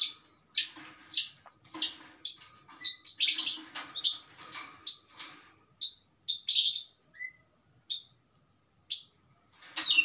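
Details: Steady 'mapan' singing from a long-tailed shrike with plenty of song material: a long run of loud, high, scratchy notes and chirps, each about half a second apart, briefly easing off before resuming strongly.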